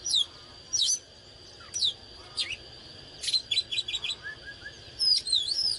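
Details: Oriental magpie-robin singing and dancing in "căng lửa" style: scattered sharp downslurred whistles, then a burst of rapid chips and a few soft lower notes, over a steady high-pitched hum.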